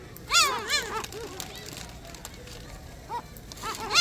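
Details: Noisy gulls at Sinjindo, Seosan, South Korea: a loud burst of arched, harmonic mewing cries at the start, then quieter scattered calls from other birds, and fresh loud cries closing the stretch.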